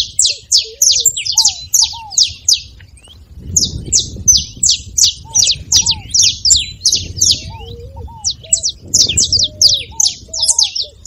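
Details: Long, lively stretch of saffron finch song used to stimulate a reluctant canary: fast streams of sharp high chirps with one short gap, accompanied by soft low whistled slurs.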